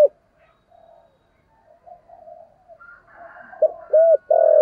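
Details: Spotted dove used as a lure for wild doves, 'giọng thổ' voice; soft low murmuring and a faint higher note give way to a loud phrase of short hollow coos and a long coo at the end.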